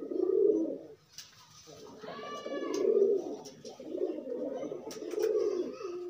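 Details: Pigeons pairing while unconfined give deep throbbing coos roughly every second and a half, swelling and fading, with some brief higher chirpy notes in the background.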